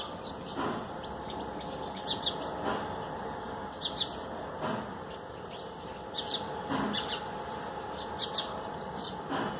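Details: A Common Tailorbird, singing and bathing on freshly watered plants on 13 April 2020, gives loud, sharp chirping notes about every two seconds, with softer high twitters and a steady background hum.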